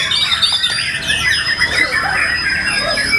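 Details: A white-rumped shama (murai batu) competing at a routine practice contest gives rapid, squeaky, buzzy phrases mixed with thin sustained high whistles, delivered without pause.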